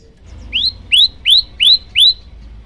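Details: Five rising upslurred whistled chirps from a male olive-backed tailorbird calling a female, each sweeping upward and spaced about 0.35 seconds apart, loud and clear.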